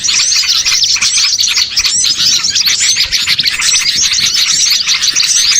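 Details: Small birds in a lure recording used to draw birds in for catching: a dense, unbroken chorus of many high, thin chirps and twittering notes overlapping throughout, with short rising and falling squeaks.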